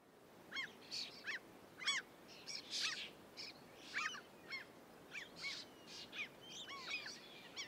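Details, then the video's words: Common gull in the UK, a field recording: a run of short, harmonic, sharply rising-and-falling calls, about fifteen over several seconds, overlapping as if from more than one bird, over steady background hiss. "Common Gull UK Birds. Bird Song Identifier, Field Recording, Bird Song, Bird Call"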